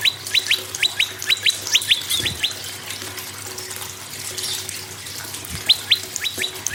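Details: Prinia song, used to encourage other birds to start singing: quick series of paired, sharply falling high chips in bursts, then a pause with a watery hissing background before the chipping resumes.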